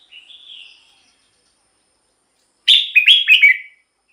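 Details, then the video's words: Red-whiskered bulbul singing, a song played to rouse other birds or lure wild ones. A soft, drawn whistle opens the clip, then after a pause comes one loud phrase of five quick, tumbling, liquid notes. "เสียงนกกรงหัวจุก สำหรับต่อ หรือ เปิดให้นกคึก เสียงเพราะๆ"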